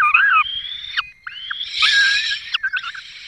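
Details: Feeding time at a peregrine falcon nest in the Barycz Valley, 5 May 2022, the male having brought a small bird; smooth rising whine and short curved notes, then a rougher, noisier wailing burst.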